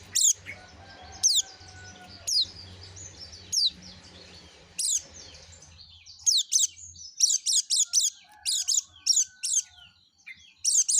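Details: Yellow-breasted white-eye used to lure other white-eyes, first giving single sharp high notes about once a second, then breaking into rapid clusters of shrill chirps.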